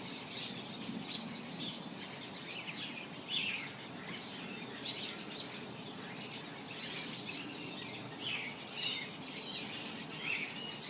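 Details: Several birds singing in a yard in the afternoon: overlapping high chirps and short warbled phrases throughout, over a steady low background hum.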